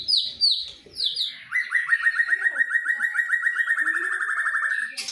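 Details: Two white-rumped shamas, from Medan and from wild Nias stock, dueling in song. A few high downslurred notes lead into a long, fast, even trill of repeated notes held for over three seconds.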